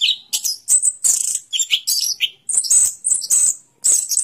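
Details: Fast, high-pitched chattering song of an orange-headed thrush, with sharp squeaky notes and brief whistles packed closely together, separated by tiny pauses.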